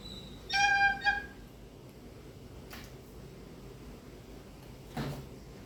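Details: A rescued captive barred eagle-owl calling out to play gives one steady, clear, whistled call lasting about half a second, ending in a short second note; a sharp click follows in a quiet room.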